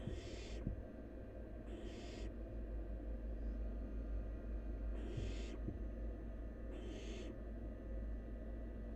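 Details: Wild barn owl nestling feeding, gulping down half a rabbit: four rasping, breathy screech-hisses, each about half a second long and spaced one to two seconds apart, over a constant low hum and faint clicks.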